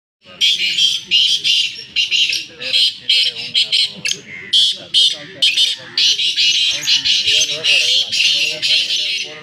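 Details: Black francolin (kala teetar) calling in the short, fast 'chakri' style amid greenery: loud, harsh, grating bursts repeated in quick succession with brief gaps, while a man's voice murmurs underneath throughout.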